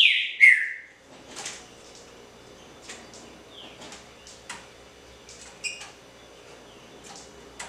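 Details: Two loud, sliding whistled notes from a green-winged saltator open the recording. Soft scattered chirps and ticks continue afterward over a faint low hum.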